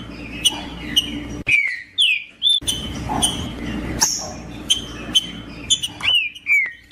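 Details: Green-winged saltator in song, played to rouse a cold caged bird for tournaments: varied whistled phrases with downslurred and upswept notes, short gaps between, and bursts of broadband background noise.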